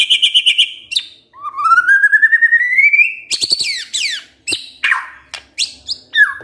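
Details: White-rumped shama song used as a lure to excite birds into singing their repertoire: a buzzy high trill, then a long run of quick notes climbing steadily in pitch, ending in sharp down-slurred whistles and chips.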